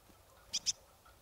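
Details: Marsh tit (Poecile palustris) at Kawęczyn, Nowy Korczyn, Poland, gives two quick, sharp, high notes about a tenth of a second apart, like a clipped 'pit-chu', against a quiet background.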